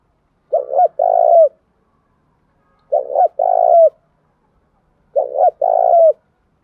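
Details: Spotted dove calling coo used to attract rival wild doves and provoke them. Three clean two-part coos, evenly spaced about every two and a half seconds, against silence.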